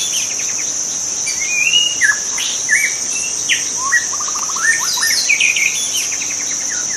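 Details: In the wild, a white-rumped shama pours out a long, varied song of rich whistles, upward sweeps, rapid stuttering trills and sharp chips, with a continuous high-pitched insect drone behind it.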